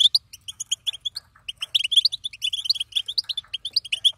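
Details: Female European goldfinch bubbling: spaced, crisp high chirps at first, then a denser, faster run of twittering notes in a quiet setting.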